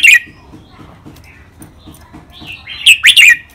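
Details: Caged red-whiskered bulbul from a two-male song-training session. A short chirp opens the clip, then a quiet pause. A loud, rising and falling whistled phrase with three quick notes closes it.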